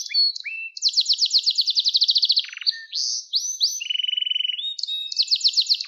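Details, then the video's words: Canary song for training young canaries: loud, rapid trills of repeated notes, some held at one pitch and others stepping down, broken by brief whistled slurs and short pauses, with no other sounds. "Kanarya Sesi Ötüş Eğitimi 2021 | Kanarya Ötüşü ve Ötüm Eğitimi"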